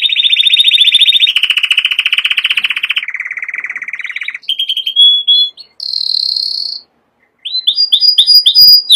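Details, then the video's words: A canary sings a high rapid trill, then a lower buzzy roll and a still lower rattle, then clear whistled phrases, a brief pause, and a run of quick rising chips. "chant canari magnifique"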